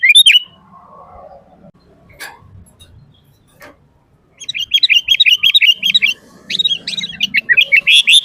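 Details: Sooty-headed bulbul delivering full-isian 'gacor' song used to train and lure bulbuls: an opening chirp, a quiet spell with soft knocks, then quick repeated bright notes and a rising final burst.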